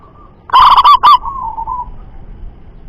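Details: Local zebra dove with a loud voice gives one strong cooing phrase: a soft lead-in note, then a burst of three or four loud, clipped, rolling notes, trailing off into a fading hum.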